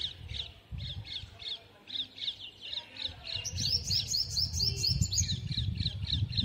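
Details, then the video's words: A sunbird gives rapid, high, sharp chips about three to four a second, with a brief burst of thin rising notes midway; low rumbling background noise throughout. "sunbird sound"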